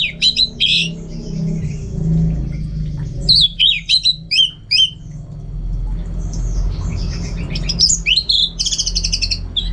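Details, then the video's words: Orange-headed thrush, a kept bird from North Bali, Singaraja, singing loudly at home to train for contests. Varied rapid phrases of sharp, slurred whistles and trills, with bursts between short pauses and a steady low hum underneath. "Super Kicauan ANIS MERAH Gacor"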